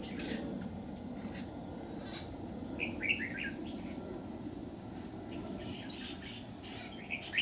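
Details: Red-whiskered bulbul at a trapping site on 27 July 2019 gives brief lively warbled notes near the middle and end, while crickets keep up a steady shrill pulsing buzz.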